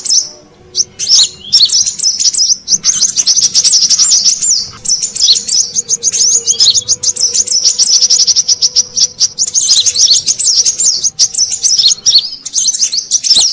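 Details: Brown-throated sunbird call used as a lure for wild birds: continuous high, rapid twittering and thin chirps, busy and unbroken throughout, with a faint steady hum underneath.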